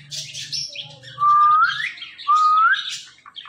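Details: Five-year-old talking parrot kept as a pet, giving two clear upward-sliding whistles about a second apart after softer chattering, with a low hum in the room.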